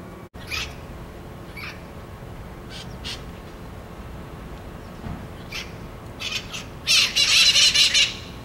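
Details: Red-masked parakeet: after scattered faint harsh notes in steady hiss, a loud cluster of raspy, buzzy squawks bursts out over the last second and a half.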